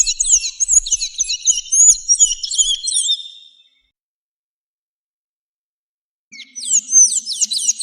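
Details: Song of the sayaca tanager for tutoring captive birds: a rapid jumble of high, squeaky twitters for about three and a half seconds, a pause of silence, then another burst of sharp chirping.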